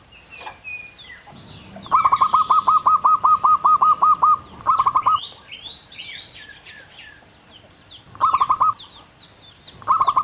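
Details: Wild local zebra dove (perkutut) singing its long, clear "kung" song: a rapid run of about thirteen even, hollow cooing notes, then shorter bursts of the same staccato notes, with high chirps from other birds throughout.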